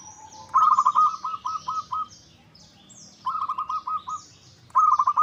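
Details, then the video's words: Zebra dove, perkutut lokal, singing as a lure to make other birds reply: three phrases of fast stuttered coos ending in a sustained note, with high, thin chirps from other small birds throughout. "Pancingan PERKUTUT LOKAL Agar Bunyi 100% Ampuh! bikin lawan nyaut."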